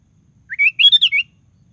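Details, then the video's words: Sooty-headed bulbul singing a lively song meant to provoke other bulbuls to sing: one short bubbly phrase of about five quick, rising and falling whistled notes, loud and clear over a quiet background. "DENGAR SUARA BURUNG KUTILANG GACOR"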